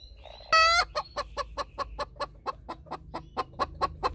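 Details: Hen cackling after laying an egg beside another hen: one loud, drawn-out harmonic squawk followed by a steady run of short clucks, about five per second, fading slightly toward the end.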